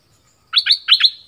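An orange-headed thrush gives a brisk song phrase of four clear, high notes in two quick pairs. The background is quiet.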